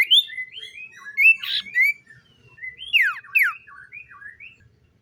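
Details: A common iora sings in the morning, a loose string of short whistled slurs, some rising and others falling steeply, delivered irregularly.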